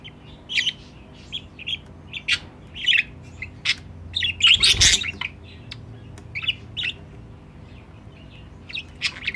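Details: A budgerigar pair at the nest box, kept with their aviary-raised young: steady warbling chatter of quick high chirps and squeaks throughout, with a louder harsh burst near the middle and a broad thump.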